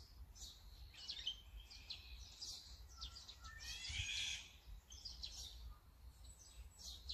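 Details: Azure-winged magpie calling, recorded on a Sony A9 camera with a 200-600mm lens: scattered high chirps and a harsh, noisy burst near the middle, with a low rumble of background noise beneath.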